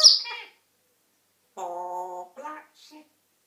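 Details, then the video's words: African grey parrot producing a sharp high squeak, then a steady harmonic voiced tone lasting over half a second and a couple of brief speech-like syllables. "African grey parrot talking and whistling"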